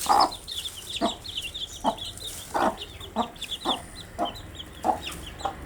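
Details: Many cute baby chicks chirping steadily, a dense stream of high, short descending peeps, punctuated roughly every half second by dull pecking knocks.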